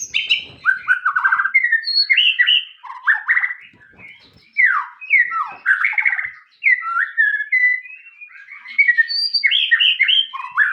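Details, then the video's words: Rich, continuous White-rumped shama song of fluty whistles, warbles and quick slurred phrases. Pitch shifts constantly between low and high notes, with brief gaps between bursts. No other sounds compete. "MURAI TAMBAH NGOTOT DENGAR SUARA ASLI INI"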